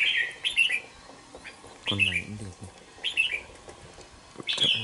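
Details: Young red-whiskered bulbul, two months old and kept in a cage: clipped, bright chirpy phrases repeated at intervals, with a short low rasping sound in the middle.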